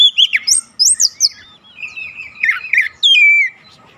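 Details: Oriental magpie-robin song used to provoke other magpie-robins: loud, varied whistled phrases, rising and falling slurs and sharp high notes, ending in a long clear descending whistle.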